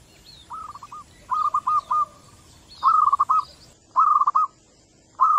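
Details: Local zebra doves calling in answer to one another, played to lure other doves; repeated stuttering coo phrases, each a drawn note broken into quick beats, with faint higher chirps behind.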